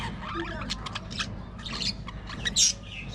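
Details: Budgerigars in an aviary colony, many overlapping short high chirps and squawks scattered through the clip, one louder sharp call near the end, over a steady low background hum.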